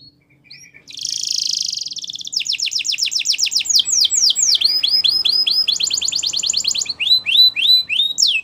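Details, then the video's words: Belgian canary song for training opens with a dense buzzy roll, then long runs of fast descending whistled notes and repeated trills continuing to the end. "Belgian Canary Singing Training !! Canary Bird Sounds"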